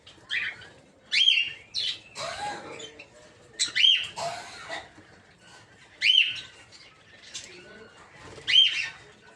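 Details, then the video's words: Shrill, arched calls from a breeding aviary of peach-faced lovebirds in green opaline, dark green, blue rosy and lutino forms. Five loud bursts recur roughly every two and a half seconds over constant softer chatter. "Peach-Faced Lovebird's Sounds"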